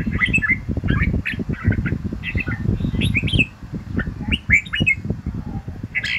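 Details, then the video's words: Red-whiskered bulbul singing in the morning, a recording used for voice training to fire up other bulbuls; short whistled, warbling phrases rise and fall over a loud, steady low rumbling background noise. "luyện giọng Chào mào buổi sáng kích lửa hiệu quả"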